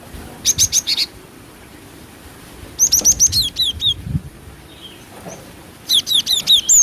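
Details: Three bursts of rapid, high-pitched chirping from a female cinereous tit, a lure sound. Each burst has four to eight notes, some slurred up and some down.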